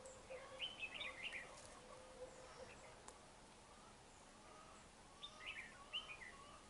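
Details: Red-whiskered bulbul with a dark bib at a trap, fighting and displaying; short bright chirpy warbled phrases come in quick bursts near the start and again near the end, with faint lower whistled notes over a quiet outdoor background.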